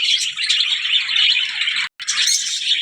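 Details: Zebra finch chatter: many high, squeaky, nasal chirps run together into a steady dense twitter, cut by a short silent gap near the end before the calling resumes.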